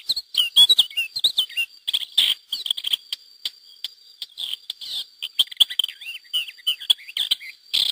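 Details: A wild pair of lesser grey shrikes with their chicks, released by hacking in 2009 at Mas de Melons–Alfés, Lleida, Spain; scratchy chattering and short squeaky notes in irregular bursts, with a faint constant whine in the background.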